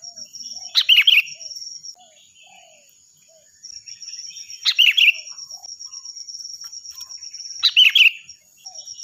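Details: Sooty-headed bulbul delivering loud, clear song for use as a tutor to other birds: three short bubbling phrases about every four seconds, with a pulsing cricket-like trill and soft chirps between.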